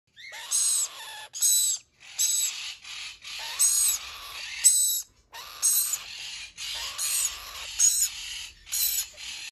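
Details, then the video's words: Rainbow lorikeet giving harsh, high, grating screeches in quick bursts of about half a second, repeated steadily with brief pauses between. "Rainbow Lorikeet"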